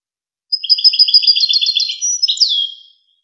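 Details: European goldfinch song from a tutoring recording for young goldfinches and hybrids: after a brief silence, a fast string of bright, high liquid twitters about three per second, ending in a downward-sliding whistle.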